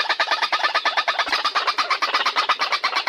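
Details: White-breasted waterhens, male, female and juvenile together, calling in a rapid run of harsh, clucking notes about three per second, steady and dense throughout, in an enclosed space.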